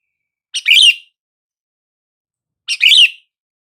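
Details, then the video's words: Sooty-headed bulbul call meant to get quiet bulbuls responding: two identical short bubbly phrases about two seconds apart, each a quick chirp followed by a fuller slurred note, nothing else audible. "SUARA PANGGILAN BURUNG KUTILANG , TERBUKTI AMPUH BIKIN KUTILANG BISU LANGSUNG RESPON"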